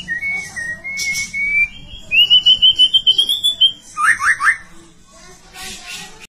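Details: White-rumped shama singing long clear whistles, first steady then rising, followed by a rapid rolling run of high notes and three quick upward-sweeping chips; a few brief buzzy high bursts and quiet low hum behind.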